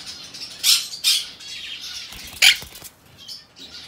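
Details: Monk Parakeet chick, aqua pallid colour and hand-tame, recorded 22 May 2022: three short, loud, rasping squawks spaced irregularly over soft scratchy background chatter.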